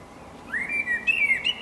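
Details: Eurasian blackbird (Turdus merula), the standout singer on the block, holding a smooth rising then level whistled phrase that ends in quick higher twittery notes.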